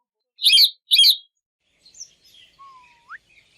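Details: Ringneck parrots from a talking family said to speak Urdu and Hindi; two quick shrill screeches in a row, then soft twittering and a thin whistle that swoops upward.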